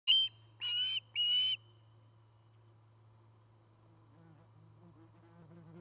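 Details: Osprey at its nest near Charlo, Montana, picked up by a nest camera in 2018: a short high whistle, then two longer shrill whistled notes with a slight waver, over a steady low electrical hum.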